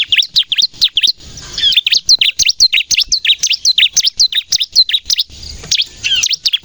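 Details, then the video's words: Bar-winged prinia singing nonstop with sharp 'nembak' notes, used to lure wild birds and prompt captive birds to sing: rapid, high, chirping notes that sweep up and down, packed closely, with two brief pauses. "suara burung ciblek gacor nembak untuk pikat dan pancingan ciblek bahan agar bunyi"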